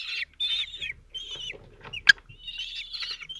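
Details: Four 17-day-old kestrel chicks in a nest at Théding, 27 June 2023, lined up as the male feeds them. They give harsh, rasping, high, insistent calls in quick bursts, with a brief sharp knock and faint rustling.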